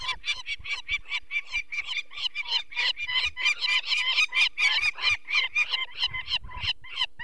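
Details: Peregrine falcon at its nest in the Barycz Valley, Poland, 2 May 2023, alarmed by people removing one of four chicks with eye problems: a fast, harsh, uneven stream of rasping cackles, about ninety notes a minute.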